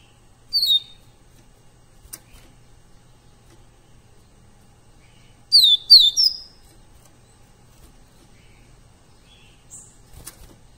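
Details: Live-recorded tutor song of a brown (pardo) double-collared seedeater: short bursts of high, sharp, down-slurred chips and twitters, three brief phrases separated by several seconds of quiet.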